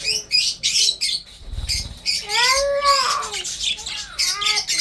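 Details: Breeding budgerigars while feeding: harsh squawks and scratchy chirps, with a longer arched, wavering squawk near the middle and another toward the end.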